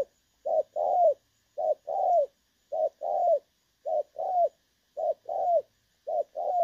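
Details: Trapping decoy recording of a spotted dove in the 'đồng son' call style, clear voice, 16 August 2024. Steady rhythm of two-part coos, a clipped note then a longer falling one, about once per second.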